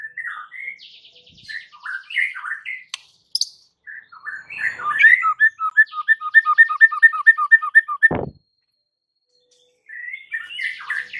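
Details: White-rumped shama provoking song meant to make rival birds rage: varied slurred whistles, then a steady run of about a dozen clear, repeated notes, a pause, and a return to warbled phrases.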